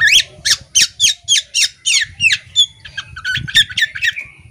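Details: Caged female Oriental magpie-robin, tail fanned, giving a rapid steady series of harsh buzzy notes about three per second, followed by shorter varied chirps, over a faint low hum.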